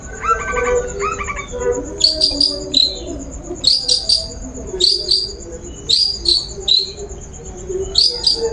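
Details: Long-tailed shrike lure song to induce singing: a few lower, rich notes open, then high, falling whistles come in pairs and triplets, repeated every second or so. A faint steady high tone sits behind them.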